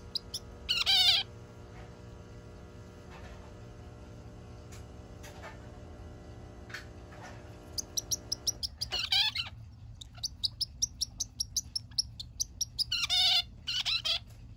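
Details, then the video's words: A zebra finch on its third day in a new home, after a massage, gives short, nasal, buzzy calls, some in quick bursts of clicky notes, over a steady low household hum. "キンカチョウ マッサージとそのお礼。可愛らしい鳴き声！！"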